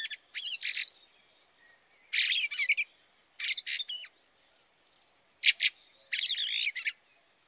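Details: Fieldfare at a garden bird feeder in a snowy early winter, late November 2023, giving harsh, rattling chack-chack calls in short bursts of three to five notes, with pauses of a second or more between bursts.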